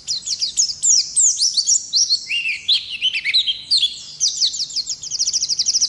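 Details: Wild-type 'ngalas' Oriental white-eye giving long-running 'ngerol' song as a training recording for other birds: a fast chain of shrill, slurred whistles, dipping lower midway, ending in quick evenly spaced ticking notes.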